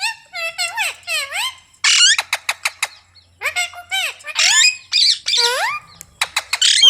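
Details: Indian ringneck parrot, a pet, making a rapid stream of chattering, squeaky rising and falling notes mixed with sharp clicks and short squawks, voice-like in rhythm.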